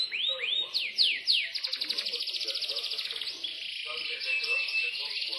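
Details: An imported Yorkshire canary in Central Java, Indonesia opens with a few slow swooping whistles, then runs into a fast, even trill and warbling high phrases.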